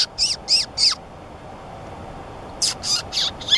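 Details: A White-tufted Sunbeam at Mollepata, Cusco, gives high, sharp, down-slurred chips in quick runs of three or four, with a pause between runs.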